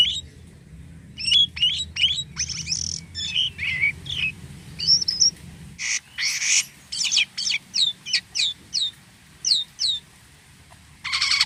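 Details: Jalak kapas starling singing energetically with odd sounds: mixed whistles and harsh buzzy notes, then a steady series of sharp descending chips about twice a second, ending with a rasping burst.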